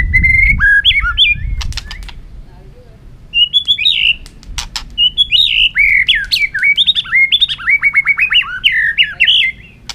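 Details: White-rumped shama, an agitated bird hopping and running on its cage floor, sings a competitive song meant to rouse other birds: varied clear whistled phrases, sliding and warbling, rapid runs near the end, with sharp clicks and knocks early on.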